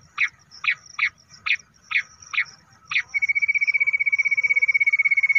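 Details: Bush quail call used when hunting to draw birds in: seven short rasping notes at steady half-second spacing, followed by a long even high trill that runs to the end.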